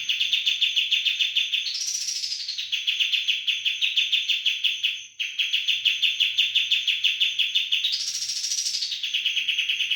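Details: Sooty-headed bulbul in a very noisy 'roll bren' singing style: long, dense, rapidly pulsed buzzy rolls held steady, twice swelling into a higher rising sweep, with a thin steady high whine behind.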